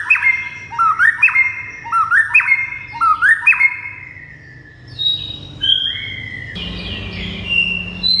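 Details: White-rumped shama singing to make other shamas answer and get agitated: four quick rising whistled phrases with sharp clicks, followed by slower high whistles and sweeping notes.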